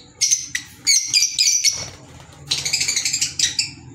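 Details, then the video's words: Green Fischer's lovebirds, caged pets, uttering sharp high chirps in quick clusters, then a fast run of rhythmic buzzy squeaks about four per second. "Fisher Love Birds Sound | African Lovebirds | Green Fisher Love birds Voice"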